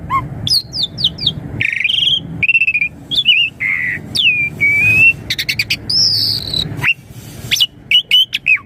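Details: Asian pied starling song used as a lure for young birds: varied whistles, downward-swooping notes, buzzy rattles and a long clear whistle, rich and continuous.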